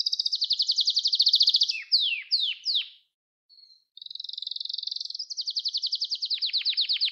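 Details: Training song of a caged canary for young birds: a loud rapid trill, three falling whistled swoops, a short silent gap with a faint tone, then fast chattering trills rising again to full volume.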